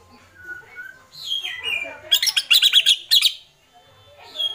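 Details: White-rumped shama in agitated kretekan: a soft falling whistle, then a quick rattling series of about eight loud, high, harsh clipped notes, followed by quiet.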